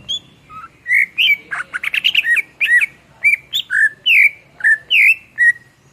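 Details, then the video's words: Greater green leafbird, known locally as cucak ijo, singing strongly as a training model for songbirds: loud, varied series of rich slurred whistles and squawky notes, some rising and some falling, repeated steadily. "SUARA MASTERAN CUCAK IJO GACOR"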